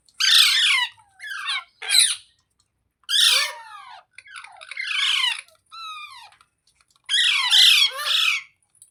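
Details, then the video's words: Talking green parrot, a rose-ringed parakeet, uttering a series of loud, gritty, voice-like syllables in groups, with clipped descending phrases and short gaps of silence between bursts. "Green Parrot Talking | Funny Parrot Sounds Videos | मिट्ठू की आवाज़ | तोते की आवाज़"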